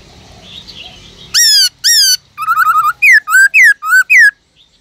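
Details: A kept Black-throated laughingthrush gives its forest-style song to spur other laughingthrushes: two strong down-slurred whistles, a fast rattling trill, then four bright rising-falling whistled notes, quiet room noise before.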